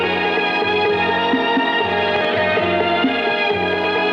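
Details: Dense instrumental theme music with plucked strings and a repeating low bass figure fills the recording, with no animal calls audible.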